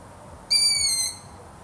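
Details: One piercing, whistled squeak from a long-eared owl, around half a second long and gently descending, rich in harmonics, against faint background noise.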